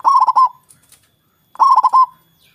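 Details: Local zebra dove with a big voice, cooing to draw rival birds into answering: two loud, rolling phrases of quick stuttered notes ending in a drawn-out coo, about 1.5 seconds apart.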